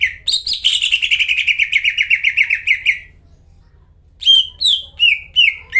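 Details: Greater green leafbird in full energetic song, used to coax a silent leafbird into singing: a long rapid warbled run of bright notes drifting slowly downward, a short pause, then sharp whistled chirps repeated about twice a second.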